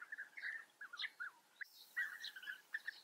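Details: Several European bee-eaters at their breeding colony in Germany's Eifel give quick rolling, slightly descending calls in two bursts separated by a brief pause.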